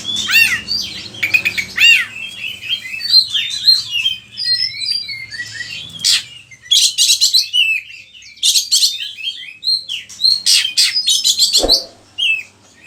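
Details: Oriental magpie-robin, Indonesia, singing a lure song meant to train other birds: long run of rapid chattering bursts, looping whistles and scratchy notes, ending with a sharp click.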